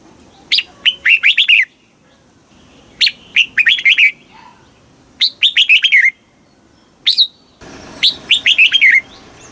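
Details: Red-whiskered bulbul song from Thailand, southern master-style, used to rouse caged birds and train youngsters: four similar phrases roughly every two to three seconds, each a rapid string of bright whistled notes ending with a downward slur; faint background hiss late on.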